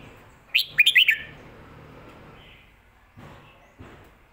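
Red-whiskered bulbul giving a quick, bright phrase of four or five liquid, warbled notes, followed by near silence with faint knocks.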